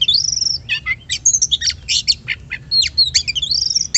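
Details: Oriental magpie-robin singing, used as a lure to make other birds sing; a continuous fast string of bright whistles, rising and falling slurs and sharp chips, loud and varied, with slight low background hum.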